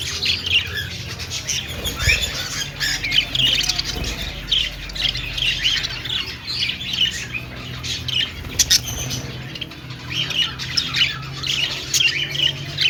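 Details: Dense, unbroken chirping and squawking from a budgerigar flock kept in an aviary at a pet store, with scattered sharp clicks and a steady low hum.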